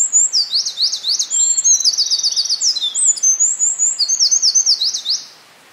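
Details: A Eurasian (winter) wren sings on 5 June 2011 in forest at Hinohara Village, Tokyo, Japan: a long, loud, very high song of rapid trills and sharp chattering notes, almost unbroken for over five seconds.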